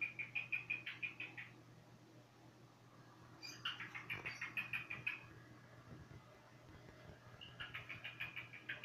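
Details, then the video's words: Bursts of rapid, evenly spaced chirps from a cockatiel alternate with quieter pauses and a brief muffled thump, all above a faint low hum. "Σφύριγμα κοκκατίλ"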